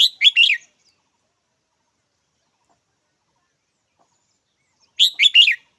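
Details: Red-whiskered bulbul repeating a quick chirpy phrase of three or four notes twice, about five seconds apart, with silence between.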